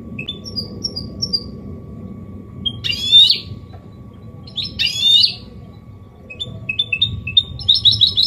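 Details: Goldfinch hybrid with a clean copia Málaga-style song, used to encourage males to sing and teach chicks: high twitters, two harsh buzzy bursts about two seconds apart, then quick repeated chirps, over low rumbling background noise.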